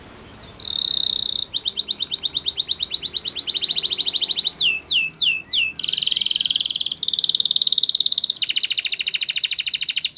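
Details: Spanish Timbrado canary singing for training: a brief buzz, then a long, even, rattling tour of rapid notes, several loud sweeping whistles, and rich, humming trills that run on to the end.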